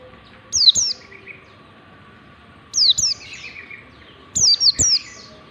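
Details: Warbling white-eye singing in the ngalas style, a standard lure meant to teach white-eyes to sing: quick clusters of two or three high, sharply down-slurred whistled notes, repeated about every two seconds over a steady background hum.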